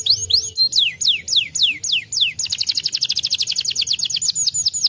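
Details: Singing Gloster canary gives about eight loud descending whistled slurs, then switches to a rapid, even trill of short sweeping notes running to the end.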